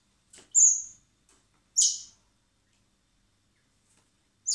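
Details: Common blackbird chicks being hand-fed in spring at a wildlife recovery centre before release; high, thin, squeaky begging notes come in short bursts about a second apart, with quiet gaps between them.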